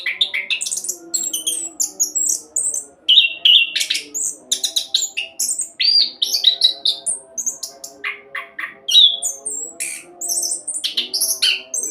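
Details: Orange-headed thrush in fast 'roll' style, used as a lure to prompt other birds to sing: a nonstop stream of high, varied whistles, chips and short rattles, notes changing rapidly with barely a pause.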